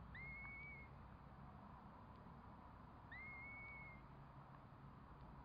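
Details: Curlew calling while four chicks hatch: two clean whistled calls about three seconds apart, each starting with a quick upward flick and then holding a bright level tone, over steady broadband background noise.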